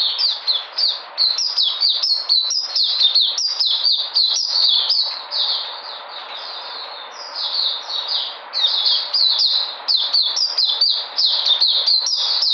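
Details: Puteh, a white-eye, singing energetically on 13 February 2020: rapid high twittering phrases of short sliding notes, nearly continuous, with a softer stretch around seven seconds before the chatter builds again.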